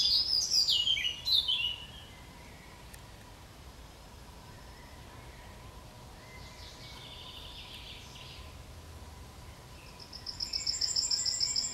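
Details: At the edge of Kabaty forest, a Yellowhammer gives high, fast repeated notes at the start, then a long pause of faint background hiss, before another rapid high phrase begins at the end.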